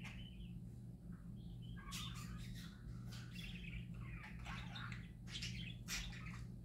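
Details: Pet parakeets singing happily, a busy run of squeaky chirps, rasping notes and sharp clicks that keeps going throughout, with a constant low hum behind.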